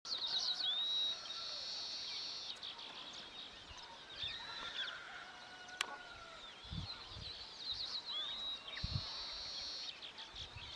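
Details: Wild Indian silverbills building a nest give thin, high chirps in quick, irregular runs, several times a second, over steady high-pitched bird chatter and light background noise.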